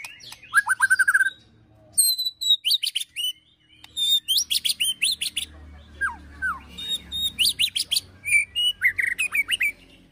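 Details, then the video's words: White-rumped shama in aggressive 'ketrekan' style, with fill-in phrases copying other birds, used to provoke and train birds. A varied, rich series of sharp whistles, steep down-slurs and chattering bursts in short phrases with brief pauses between them. "KETREKAN MURAI BATU EMOSI TEMBAKAN PEDAS"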